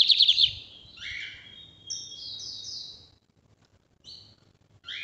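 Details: Bigodinho, the lined seedeater of Brazil, in its northeast song type for tutoring: a rapid buzzy trill opens, followed by high sliding whistles and short clipped notes separated by brief silences.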